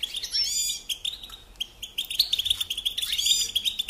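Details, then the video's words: European goldfinch song used as a tutor recording for teaching young songbirds to sing: rapid, bright twittering with buzzy trills and quick rising and falling notes, a loud burst at the start and another near the end. "Teaching Singing Lessons Through Goldfinch Motives"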